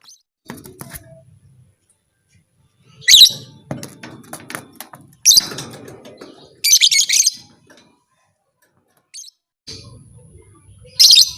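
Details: A lovebird, said to rouse other lovebirds into fighting, gives a few scattered sharp screeches and a short burst of harsh chatter. Fluttering wings, rustling and clicks fill the gaps.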